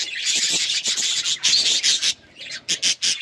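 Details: Hand-tame budgerigars chirp in loud, harsh bursts of rapid chatter, then break into shorter separate chirps near the end.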